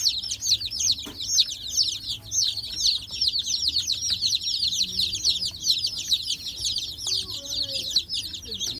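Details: Baby chicks of a new backyard generation peeping nonstop, a dense chorus of thin, high, downward-slurred peeps overlapping throughout, with a few faint low background sounds.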